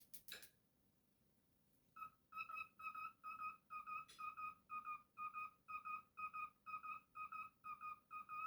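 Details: Pet cockatiel whistling after a quiet start: a steady series of clear, slightly wavering notes, about two each second, each with bright overtones, continuing for several seconds indoors.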